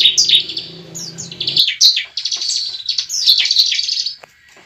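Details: Bar-winged prinia fighting song used to trigger a young bird to sing: a busy jumble of high chirps and buzzy trilled notes, with low rumbling noise during the first second and a half.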